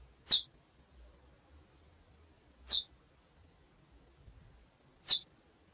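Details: Three evenly spaced, high, piercing chip notes from a calling female chestnut-bellied seed finch, roughly one every two and a half seconds, against near silence.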